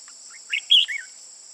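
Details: Old Red-whiskered bulbul with red eye-rims on both sides, a decoy bird for trapping, 15 June 2018; short soft notes lead into three loud slurred whistles, the middle one strongest, against constant high-pitched insect buzzing.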